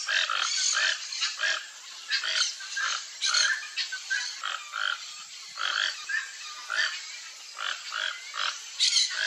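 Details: A pair of Toco toucans foraging for food in riparian forest in Brazil give harsh, croaking grunts in a steady run, about two or three a second, their calls overlapping throughout.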